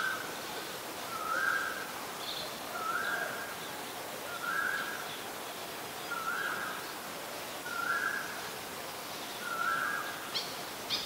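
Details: Malaysian pied fantail (Rhipidura javanica), a very common resident, recorded at Ubon Ratchathani, Thailand, on 14 December 2020: short, squeaky, slightly rising phrases repeated about every one and a half seconds over steady background hiss.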